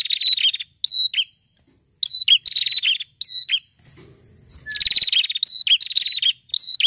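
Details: A prinia (prenjak kepala merah) sings loud, high, buzzy chirping bursts in quick irregular runs, some rising sharply, with brief pauses and a faint low rumble midway.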